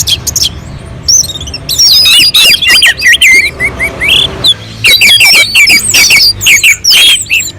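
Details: Sweet, constant singing of an orange-headed thrush on a mountain slope, meant to spur other birds to sing: tumbling phrases of bright whistles and harsh chips, broken by a short lull midway, then resuming strongly.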